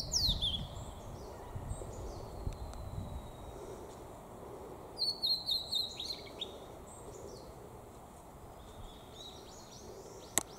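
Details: A male blue-and-white flycatcher in Sapporo, Japan, sings high, clear whistles: a falling note, a long thin whistle, then a quick burst of sweet notes, over a steady low background hum.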